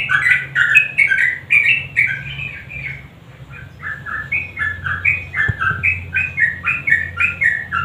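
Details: Energetic sooty-headed bulbul song of 'nguklik' type, played to prompt quiet birds to sing: bright whistled phrases of short up-and-down notes, briefly softer midway, then resuming in steady repeated bursts with a low background hum.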